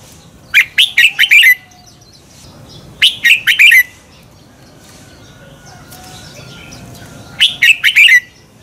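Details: Red-whiskered bulbul decoy song, double-twist morning style for training birds to sing in contests; three phrases of four or five rapid, warbling whistles, spaced about two and a half to four seconds apart.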